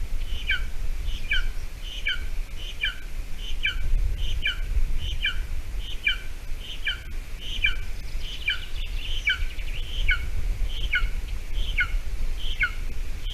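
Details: At a golden eagle nest in Latvia, June 2020 morning, a small mouse delivered for breakfast; a long, steady series of high, thin, descending notes repeats about every 0.7 seconds over heavy low-pitched wind-like rumble.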